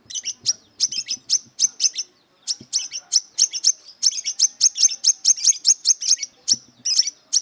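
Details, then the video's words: Aggressive brown-throated sunbird looking for a rival to fight, singing a rapid, nearly continuous run of shrill, high chipping notes, about two or three each second, with one brief gap early on and faint low thumps. "Burung Kolibri Kelapa Wiceh Gacor Beset Tarung Mencari Musuh"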